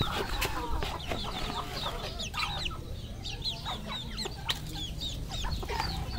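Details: Many red junglefowl on a Cambodian farm give shrill, steeply falling peeps and short clucks in a crowded, overlapping chorus above constant low-frequency rumble.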